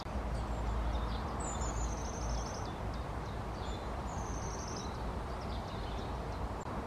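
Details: Long-tailed tit giving high, thin, slightly descending trilled calls in two clear bursts with a few short high notes between, against steady low-pitched environmental rumble.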